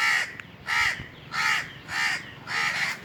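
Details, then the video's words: Rapid series of five coarse, nasal caws from an Indian crow on a treetop during a hot summer day, each burst short and evenly spaced about 0.6 seconds apart. "Indian Crows cawing"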